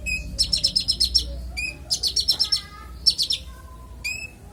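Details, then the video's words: Konin singing for use as songbird master audio: quick runs of high sizzling notes, each run lasting about a second, separated by brief pauses and lone chirps. "Konin bongkar isian suara jernih"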